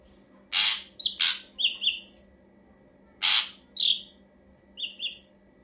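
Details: Ashy drongo song played to make other birds respond: two sequences, each a harsh grating burst followed by quick slurred whistles and a lower doubled whistled ending.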